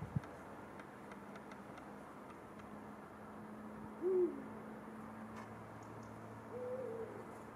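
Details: Eurasian eagle-owls calling after sunset: a clear, deep, slightly falling hoot, then a softer, longer, higher hoot about two and a half seconds later, against a low steady hum.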